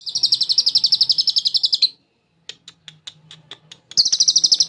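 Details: Champion lovebird giving its long chattering ngekek, filled with cililin phrases and used as a training master: a fast high trill of rapid pulses for about two seconds, a pause with scattered sharp clicks, then the trill starts again.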